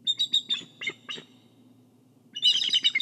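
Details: Nest-cam recording of a bald eagle watching over its egg in Kisatchie National Forest: a string of sharp, high piping notes, a short lull, then a dense, squealing burst of chatter.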